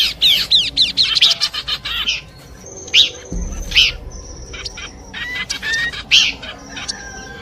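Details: Horsfield's babbler song combination used as a lure: a rapid run of sweeping whistled notes, then spaced sharp whistles and steady high tones, with a low thump in the middle.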